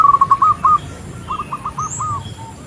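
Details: Female zebra dove calling the male: a short loud run of quick purring coos, followed by a fainter answering series of trilled notes and a distant higher bird call.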